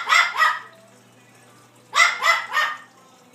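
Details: Blue-fronted amazon parrot imitating a small dog's bark: two quick, harsh, broadband yaps, a pause of over a second, then three more in rapid succession.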